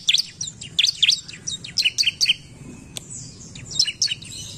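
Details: Bar-winged prinia, excited by a lure recording, sings loud high chirps in clustered pairs and triplets, with sharp downward slurs and short gaps between bursts.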